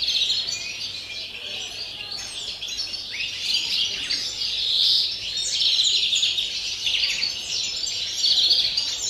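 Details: European greenfinch, pure wild-style song recorded 30 December: long run of rapid twitters and trills, about four notes a second, high and slightly buzzy, continuous throughout.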